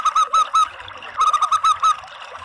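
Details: Zebra dove call played as a decoy to draw in doves: a trio of clipped, harsh-toned coo notes, a short gap, then a fast series of about six similar notes, all very loud.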